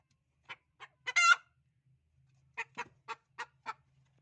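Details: Hen calling before laying eggs: two short clucks, then a loud, harsh, drawn-out cackle note, a pause, and five evenly spaced clipped clucks. A faint low hum runs underneath.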